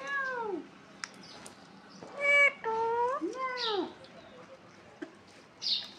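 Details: Parakeet, called mithu or tota, indoors, uttering curved, voice-like notes that swoop down, a bright harmonic squawk, then several arched calls with faint clicks and chirps between them.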